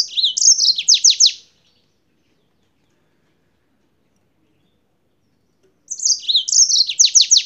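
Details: Yellow-fronted canary from Spain in full song: two bursts of twittering notes ending in a series of quick downward sweeps, split by a long pause.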